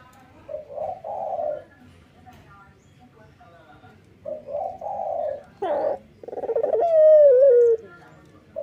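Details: Male local Barbary dove singing in the morning: short hoarse coos in pairs, a brief noisy burst, then a long clear coo that wavers and falls slightly.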